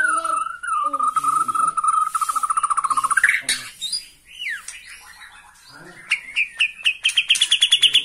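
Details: Bornean white-rumped shama, worked up on seeing a rival, holds a long steady whistle pulsed in rapid beats, then sweeps upward into a falling slur and ends on quick repeated high notes.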